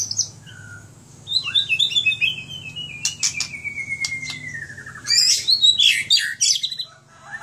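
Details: White-rumped shama owned by a keeper in Aceh: a long gliding whistle that falls slowly, broken by sharp clicks, then a loud fast burst of high twittering notes.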